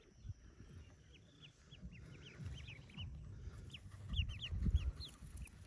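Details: Forty ducklings hatching in a cave nest: shrill, falling peeps, roughly two per second and growing denser and louder toward the end, with low rumbling handling noise.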